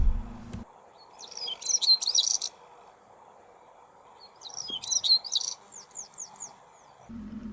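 European Stonechat song: two short, scratchy, high twittering phrases about three seconds apart, the second trailing into a few quick down-slurred notes. Low thumps open and close the recording.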